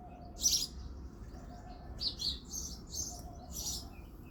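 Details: Early February morning, a male house sparrow chirps: one sharp cheep, then a quick run of four or five bright chirps after a short pause, over a faint low hum.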